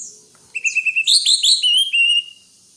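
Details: Greater green leafbird song: a quick run of short whistled notes steady and high, then louder overlapping slurred phrases, ending in a drawn-out whistle; clean and bird-only.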